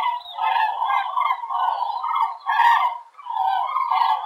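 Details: A flock of common cranes migrating high over the Werra valley, Hesse, Germany, heading southwest on the afternoon of 18 October 2020, gives a steady chorus of loud, rolling, trumpeting calls that overlap almost without a break.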